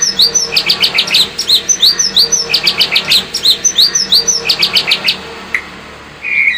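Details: White-rumped shama lure song intended to make the bird more combative: fast, repeated groups of high, sharp chirps in a steady rhythm for about five seconds, then a short pause and a rising whistle.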